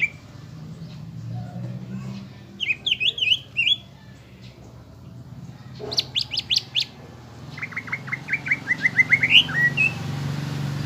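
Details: Lure song from a greater green leafbird, meant to provoke a fighting temperament in caged birds. Clusters of quick twittering whistles alternate with a few sharp clicks, ending in an accelerating run of bright short notes over low hum.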